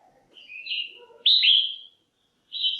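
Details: A female red-whiskered bulbul gives calls meant to excite males or form a pair, with descending slurred whistles, a loud emphatic note, then a brief clear whistle; faint low chatter underneath.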